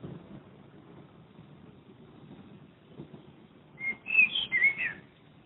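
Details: Blackbird near a home in Madrid, recorded from a window; after a quiet stretch of faint background hum, a short melodious whistled phrase of four or five quick fluted notes.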